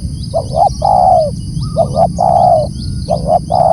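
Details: Spotted dove calling loudly: a quick pair of low coos followed by a longer, drawn-out coo. The phrase repeats about every one and a half seconds, with faint high chirps from small birds in the background.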